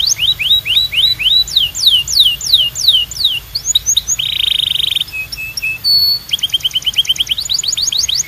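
A canary sings a fast, varied song of rapid falling whistles, buzzy rolled trills and sharp repeated notes, all high-pitched and continuous.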